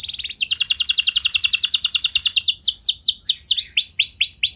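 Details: Canary singing on a recording meant to prompt other canaries into long song: a fast even trill of sliding notes, then slower, louder arched whistled notes repeated about twice a second.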